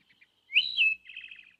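A wood thrush sings a few soft lead-in notes, then a loud, fluty phrase that rises and falls, and ends in a quick, buzzy trill.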